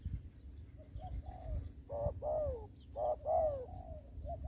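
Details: Spotted dove kept as a ground decoy for trapping in the COVID-19 season, soft coos building into louder, rounded hoots near the end, with a constant faint high whine.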